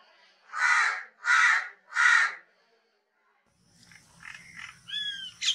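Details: Crow calling three harsh caws in a steady, even series, followed by softer chirps and whistled notes of other birds over a low background hum.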